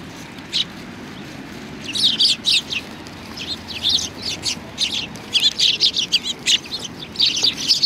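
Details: Sparrows gathering for food at Tenmangu shrine on 25 November 2020. A few scattered chirps build into a lively, overlapping chorus of quick high notes.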